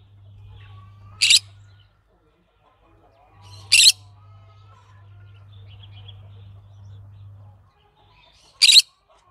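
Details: Three short, piercing squawks from a green-cheeked conure, spaced irregularly over nine seconds, with low humming and faint thin chirps in the background.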